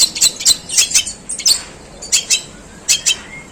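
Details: Long-tailed shrike delivering long, rough sparrow-imitating song: clusters of harsh high chirps separated by short pauses, some notes doubled.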